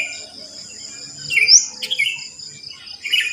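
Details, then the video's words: Early-morning sooty-headed bulbul in a neighbourhood where the species is plentiful; a quick run of sharp rising whistles and chirps, then a short bubbly note, against a continuous insect hum. "Pancingan Ampuh untuk Terapi Burung Kutilang Malas Bunyi"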